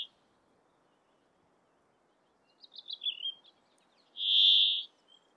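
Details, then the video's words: A male Brambling in breeding plumage sings in Abisko National Park, northern Swedish Lapland, on 24 June 2022: a few brief, falling chirpy notes then a single drawn-out wheezy buzz under a second, wind noise reduced. "Brambling Sings His Simple Song"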